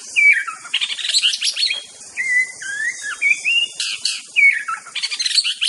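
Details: Aceh white-rumped shama in full master song, alternating pure whistled slurs with dense bursts of rapid chattering, scratchy notes, phrases following each other with barely a pause.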